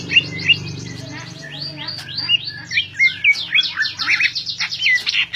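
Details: Caged greater green leafbird in full song: fast tumbling chatter of sweeping whistles and scratchy mimic-like notes, rising into a busy, energetic stretch, over a steady low mechanical hum.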